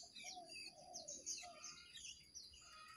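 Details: Jongkangan, wild and caged birds singing against each other in a duel: dense overlapping high chirps and twitters, with lower sliding whistled notes beneath and steady background hum.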